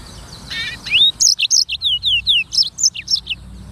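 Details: Black-throated canary, called sanger, in vigorous song: a brief buzzy trill, then a rising whistle leading into a rhythmic string of clear, high, downward-sweeping notes delivered about four per second.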